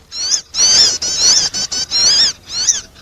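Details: Sogon bird attracting call given as bursts of shrill, squeaky notes that swoop up and down, run together in longer phrases with brief pauses, about six bursts in three seconds.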